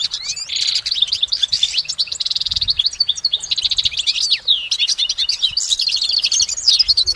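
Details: Goldfinch singing in nature, a long unbroken stream of bright twittering notes, buzzy trills and rapid chirps that continue without pause, layered and varied in pitch.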